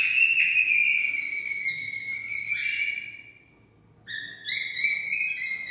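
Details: Cockatiel singing, sounds played to stimulate mating: long whistled notes sliding gently downward with rich harmonics, a brief pause, then higher warbling whistles resuming.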